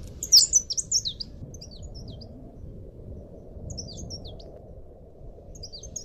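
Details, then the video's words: Leaf warbler (cikrak daun) song used as a training recording: thin, high, twittering phrases of quick slurred notes in short bursts with pauses, over a steady low rumble. "masteran burung cikrak daun"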